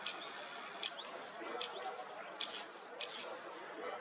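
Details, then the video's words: Common starling early in the morning on 21 April 2023, giving thin, very high whistles, each opened by a short scratchy burst, repeated about every second over a faint background hiss. "Голос скворца"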